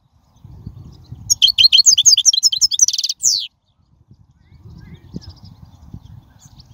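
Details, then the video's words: Wild European goldfinch song, used for training young birds, given as a fast burst of high twittering, tinkling notes about two seconds long ending in a buzzy downslurred trill, followed by faint low rumbling background. "من أقوى اغاني | طائر الحسون | البرية"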